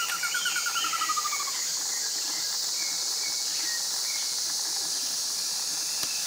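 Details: Slaty bristlefront giving a fast run of clear notes that slide steadily lower and speed up over about one and a half seconds. Scattered thin whistles from other birds follow, over a constant high insect hiss.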